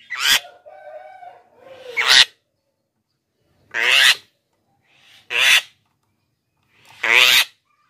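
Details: Black-winged myna with lively song, a lure for wild mynas and a stimulus for lazy captive singers: a soft whistled hum leading into harsh rasping squawks, then three more grating bursts at uneven intervals.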